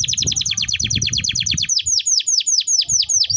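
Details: Canary singing a training song: a fast series of high, descending swept notes, first in quick succession, then slowing to about three per second, with faint low rumble underneath.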